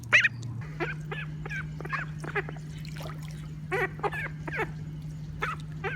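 Female call ducks quacking: about a dozen short, nasal, harmonic quacks at an uneven pace, some in quick pairs, over a steady low mechanical hum.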